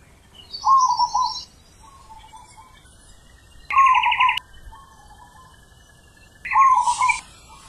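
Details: Zebra dove singing with a very big, deep 'ulem' voice, recorded in nature: three rolling, rapidly trilled low coo phrases about two seconds apart, with thin high chirps and a buzzy trill from other birds overlapping.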